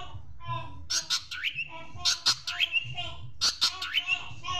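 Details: Shrike master recording with sparrow-imitation fill-ins. Harsh squawky chirps mix with short upward-sweeping whistles in rapid clusters over a low background rumble.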